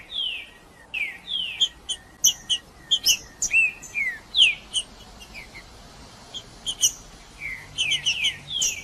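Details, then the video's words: Green-winged saltator male singing to challenge a rival male. Sweet downslurred whistles and sharp staccato notes come in lively sequences, then a quieter lull before more falling whistles near the end. "Trinca-ferro Macheando com Trinca ferro cantando Para Esquentar Trinca ferro Macheando"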